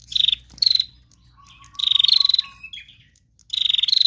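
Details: Lively chattering of a female bar-winged prinia. Short, harsh, rapidly pulsed high bursts come in quick pairs. A thin, steady, lower whistle is heard during the gap.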